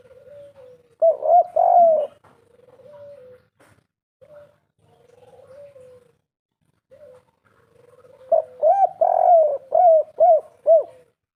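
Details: Spotted dove (derkuku), three-note 'kuk 3' lure call: low, mellow cooing notes, a few short coos at first, then a pause and a quick run of bouncing hooked coos near the end.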